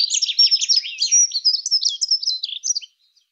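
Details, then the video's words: Fast, high, tinkling warble of a Dunnock, a single jumbled phrase of squeaky notes of nearly three seconds that ends abruptly into quiet. "Как поет Завирушка лесная Prunella modularis"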